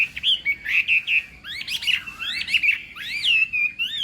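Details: Chinese hwamei, morning voice training for singing contests: loud, ringing whistles with quick looping upslurs and downslurs, in phrases repeated with small variations.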